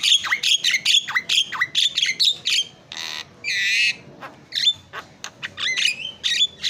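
Javan myna in a busy song of sharp, dropping whistled notes, interrupted by harsh rasping bursts and chattering squawks, then clear whistles again.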